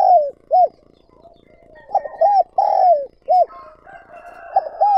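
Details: Lure spotted dove for drawing in wild doves; repeated short arched coos and a long descending coo, overlapping softer cooing from a second dove in the background.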